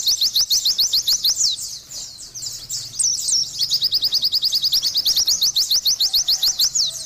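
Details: Oriental white-eye song: fast, high chattering trill of short slurred notes, briefly breaking into a few longer squeaky notes midway, then resuming as a long even run to the end.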